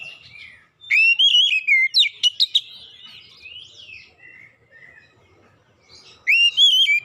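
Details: Oriental magpie-robin lure song meant to get difficult young birds singing: a bright phrase of falling whistled slurs and quick high chips, quieter subsong after, and a fresh loud whistle near the end.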